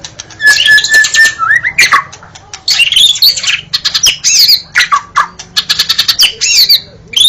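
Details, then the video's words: Indonesian murai batu, the white-rumped shama, in lively song: a held whistle and chattering trill, then dense bursts of high squeaky and harsh notes, repeated sharp chips, with a faint background hum. "jaminan bunyi pkai suara murai batu"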